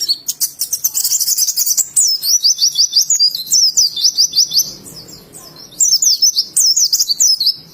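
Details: Ngalas singing by an oriental white-eye (pleci) from Indonesia: a long, busy stream of high twittered notes and whistled slurs, one brief quieter lull midway, then more rapid chirping phrases.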